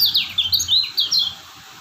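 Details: Kecial kuning white-eye from Lombok, described as a steady singer, gives a quick burst of high, thin chirps and sliding twitters lasting about a second and a quarter, then falls silent.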